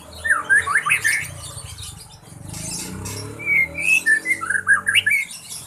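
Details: Songbird in breeding condition beginning to practise its song, with bursts of squeaky, whistled rising and falling notes separated by a noisier passage, over a low background hum.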